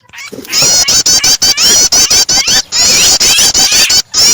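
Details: Prinia starter call mixed with a distressed, trapped bird, meant to prompt other birds to sing: a dense run of rapid, high, sharp repeated notes layered over wavering whistled trills, broken by short silent gaps.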